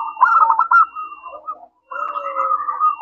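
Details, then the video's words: Local zebra dove in full song, its crystal-toned voice meant to lure other doves into answering: a dense, rapid rolling coo that fades, a brief silence, then another softer, sustained warbling phrase. "Perkutut lokal gacor suara kristal, ampuh untuk pancingan langsung nyaut"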